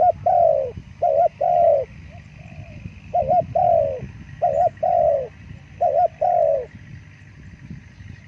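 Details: Soft cooing of a spotted dove: four phrases, each a doubled short note leading into a longer falling coo, with low background noise throughout.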